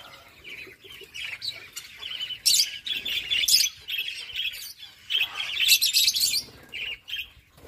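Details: Lovebirds making sounds while mating: sharp, high chirps and squeaky notes in short bursts. The bursts swell twice into louder, squawky flurries, with brief quiet gaps between them.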